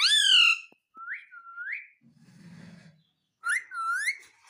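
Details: Ringneck parakeet that says "mummy": a loud downward-curving squawk, then clear rising whistled notes, a low rumbling murmur, and another squawk leading into a dipping whistle.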